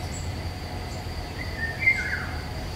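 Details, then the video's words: Eurasian golden oriole singing in woodland in May 2021, recorded with a Nikon Coolpix P1000: a single smooth, fluty whistled phrase that rises and then slurs downward, heard against a steady background hiss and a faint high insect-like tone. "Il canto del rigogolo (Oriolus oriolus) nei boschi."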